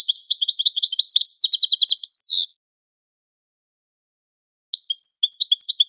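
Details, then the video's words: European goldfinch training song: rapid twitters leading into an even pulsed trill and a harsh buzzy note, then a long silence and the start of a new twittering phrase. "Goldfinch The Best Singing - training song"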